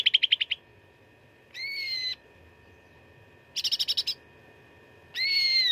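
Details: Fighting song of cucak ranting, recorded as tutor material for contest birds: a fast run of staccato notes, a sustained whistle, another rapid chattering burst, then a long harmonic whistled phrase.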